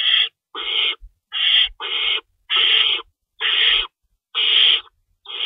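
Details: Feeding time at an owl nest, 3:53 AM on 25 March 2012, with two rabbits in store and an adult shredding food. Rasping hissed screeches, some short and some doubled, follow in an uneven series with light knocks between them.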